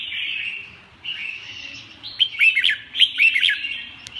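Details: Red-whiskered bulbul song opening with a soft sustained warble, then a burst of loud, clear, swooping whistled notes repeated in quick succession over a faint low background hum.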